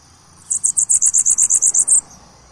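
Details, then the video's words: A bananaquit sings one crisp phrase of about twelve very high, bright notes delivered rapidly and evenly over a second and a half. "Sibite Cantando."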